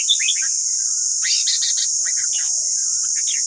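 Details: Red-whiskered bulbul singing for training captive birds: dense, jumbled chirps and warbles, partly overlapping, beneath a loud steady high hiss.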